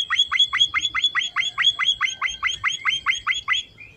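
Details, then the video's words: Emprit finch singing busily as filler: a fast, regular chain of loud chirps, each sweeping down to a lower tail, about four per second, ending with one faint short note. "Burung Emprit Finch gacor isian"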